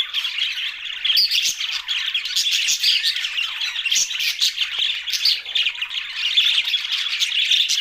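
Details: Budgerigars in a lively group chorus: continuous warbling chatter with sharp chirps and squawks rising and falling in intensity, many birds at once.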